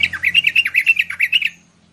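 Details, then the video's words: Lure sound of a bulbul for catching wild bulbuls: a brisk one-and-a-half-second chatter of about ten warbled, bouncing notes, some dipping sharply, over a faint low hum, then fading out. "Suara burung merbah untuk memikat burung merbah liar"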